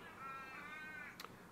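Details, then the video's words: Australian ravens calling in the background, noted as sounding very different from American ravens: one long, nasal, drawn-out wail of about a second, then a sharp click. "those are australian ravens you're hearing in the background by the way they sound very different from american ravens"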